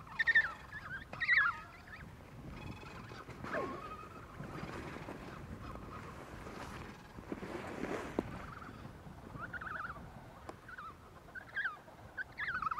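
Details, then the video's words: Emperor penguin (Aptenodytes forsteri) chick in Adelie Land, Antarctica, in January, begging for food from a parent with shrill, warbling whistles in short bursts over steady wind and colony noise. "Emperor penguin chick begging for food from parent"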